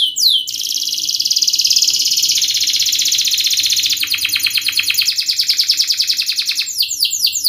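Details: Canary, a lure recording for teaching young canaries to sing, fast dense sharp song: continuous high rolling trills, shifting between buzzy rapid segments and clicking pulsed rolls, ending with descending whistled sweeps, no other sounds.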